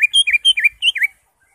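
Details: Greater green leafbird singing energetically in the ngentrok style, full of varied fill notes: a quick string of bright chirps dipping and rising in V-shaped whistles, about six notes in one second, then silence.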